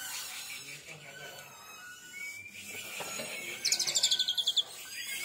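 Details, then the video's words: Oriental magpie-robin (kacer), molted once, in 'tembakan' song style: hissy noisy background for several seconds, then a sudden rapid burst of about ten sharp high repeated notes near the end, followed by a brief whistle. "Tembakan Kacer Super Pedas"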